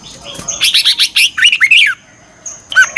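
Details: Red-whiskered bulbul singing a morning training song in the twisting double-voice style. A quick burst of loud, varied, chirpy whistled notes, some sliding down, is followed by a pause and a few more sharp notes.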